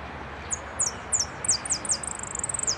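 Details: Competition saffron finch, second-place singer in the repique style, 15 January 2012: a short burst of high, sharp descending chips that speeds into a rapid trilled run at the end, with faint background hum.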